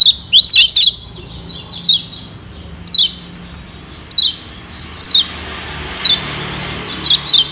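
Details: Lombok yellow white-eye lure to stimulate wild birds: a quick cluster of high chirps, then evenly spaced single downslurred notes about every second, some paired, over a low background hum.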